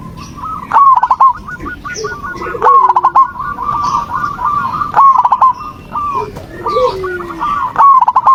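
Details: Zebra dove song used as a lure to make a silent caged dove start singing: rapid runs of soft cooing notes near one pitch with louder bursts about every two seconds, possibly several birds overlapping.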